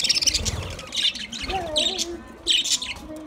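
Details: Budgerigars chirp to one another in short bright bursts, with a soft lower warble beneath and brief pauses between flurries.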